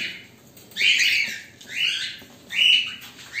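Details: Cockatiels, black and white birds kept as pets and waiting, giving three loud harsh screeching calls about a second apart, each a rising then falling burst, with a quiet room in between.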